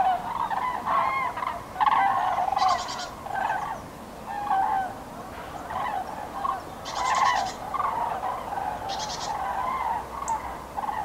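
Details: Common cranes on spring migration over Nouvelle-Aquitaine, France, on 8 February 2017: many overlapping rolling, trumpeting calls from a flock, steady and dense throughout, with a few short hissing bursts of noise.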